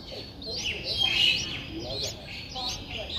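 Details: Nine-day-old Streak-eared Bulbul young in Ubon Ratchathani, Thailand, on 11 April 2023. They give soft, high, wavering chirps in a loose series, swelling briefly louder near the middle.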